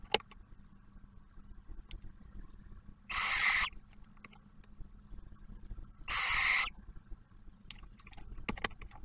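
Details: Barn owl family in a nest camera box at Ottawa National Wildlife Refuge, Ohio, the male delivering food and the female feeding the first hatched owlet; two separate rasping hisses about three seconds apart amid faint clicks and shuffling.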